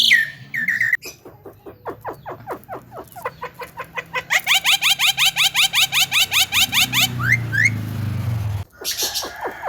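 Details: Javan myna delivering a long, rapid run of sharp repeated notes, about three per second, which grows louder and harsher midway. The run ends with a few squeaky whistles and a brief pause.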